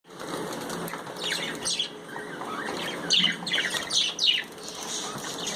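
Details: Budgerigars enjoying a bath give short sharp downward chirps, several in quick succession near the end, over a steady wash of splashing water and fluttering wings.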